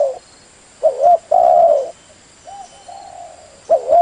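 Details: Spotted dove lure call, said to draw wild doves in every time, giving low mellow coos: a short looped coo, a longer steady coo, then softer repeated phrases, over a constant faint high hiss.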